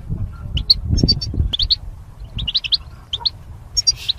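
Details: Goldfinch chirping, used to stimulate and train caged songbirds: quick bright bursts of high, tinkling chirps and short trills, with a low rumbling background throughout.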